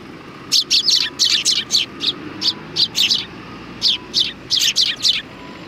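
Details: Sparrows gathering at a shrine (Tenmangū) to be fed, 7 October 2020; sharp, high chirps come in quick runs of two or three, roughly twenty notes in six seconds, with steady low background noise.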